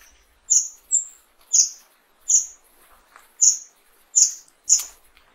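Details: Fire-tailed myzornis singing very high, short, sharp notes, roughly seven of them spaced unevenly across five seconds, with one slightly higher, flatter note early on; background otherwise quiet.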